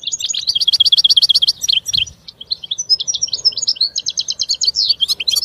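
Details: European goldfinch song of quick rhythmic twittering notes in rapid series, a short pause, then further tinkling trills and sharp high notes.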